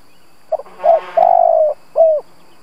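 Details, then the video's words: A spotted dove kept as a lure coos to draw out rival doves: a brief soft note, a hollow hoot, a long quavering low coo with a faint rustle, then a falling closing coo. "Cu gáy mồi Gù siết bổi nhập tàn, chim cu gáy kích bổi nhanh nổi"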